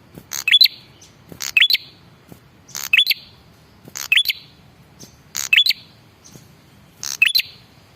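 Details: Red-headed prinia male, a lure call meant to make other birds reply. Six evenly spaced phrases, each a quick rattle of clicks ending in a high upslurred whistle.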